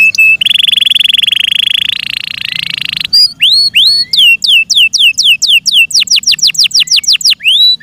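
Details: Yorkshire canary, cared for by its keepers, delivering a steady buzzy rolling trill for three seconds, then a run of rising and falling whistled sweeps that speed up toward the end.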